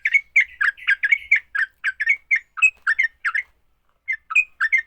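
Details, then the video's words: Sooty-headed bulbul giving a fighting song that spurs other bulbuls to sing: dense cluster of gurgling, slurred chirps, then more spaced bubbly notes, a brief gap, and a final few whistled chirps. "Kicau TRUCUK TARUNG, paling cepat bikin trucukan BUNYI."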